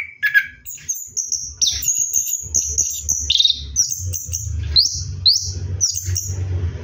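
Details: Orange-headed thrush at night during bathing, a long flowing series of high whistled notes and upward-sweeping phrases over a steady low background hum.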